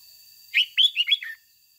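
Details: Red-whiskered bulbul used as a lure bird, singing a 'ché' style song meant to rouse other bulbuls. One brisk phrase of four or five warbled, bubbly notes, sliding between mid and high pitch, over faint steady hiss.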